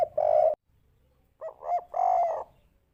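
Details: Soft spotted dove coo, the three-note 'kuk 3' style used to lure other doves: the tail of one long coo, a gap, then two short hoots leading into a sustained hollow note.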